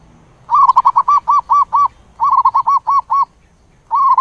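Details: Zebra dove calling to its flock: quick staccato bursts of soft, mid-pitched arched cooing notes, one run of eight, a pause, another run of seven, then a fresh burst starting.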